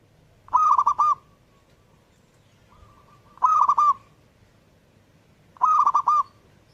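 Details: Perkutut, the zebra dove, singing strongly: three crisp bursts of fast, bubbling coos, each preceded or followed by a faint soft hum, evenly spaced in a quiet setting.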